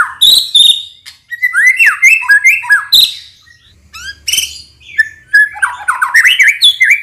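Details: White-rumped shama singing in the morning to provoke other shamas into answering; loud varied phrases of whistled slurs, rising and falling notes, sharp buzzy bursts and rapid chattering trills follow one another without pause.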